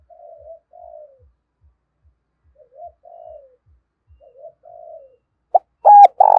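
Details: Spotted dove lure in the morning: three soft, distant-sounding falling coos spaced about two seconds apart, then a sudden loud, close burst of cooing at the end.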